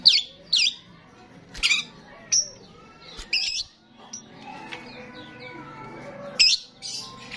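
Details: Energetic starling song meant to lure other starlings: a string of sharp, scratchy chattering bursts and brief high whistles, then quieter warbling murmurs toward the end.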